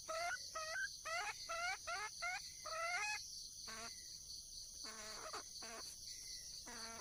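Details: Red junglefowl hen in the wild calling for a mate: a fast, uneven volley of short rising notes, then several lower, drawn-out notes after a pause, with a continuous high insect chorus.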